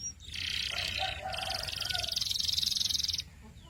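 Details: Canary song with a dense buzzy trill between high notes, shifting to a fast pulsed roll in the second half, over a low background hum.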